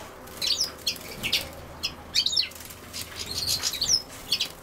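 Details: Rapid high twittering from a European goldfinch near common sowthistle: bursts of thin, tinkling chirps running close together through the clip.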